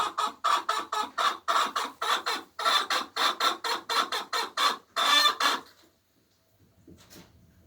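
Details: Egg song from a hen laying eggs: fast, loud, raspy clucks about four per second in bursts, ending abruptly with near silence and faint scratching.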